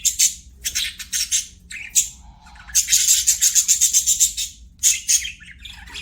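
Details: Playing budgies in full chatter: rapid, rattling bursts of harsh, high chirps repeated several times a second, a long pulsing run in the middle, and a brief soft warble between bursts.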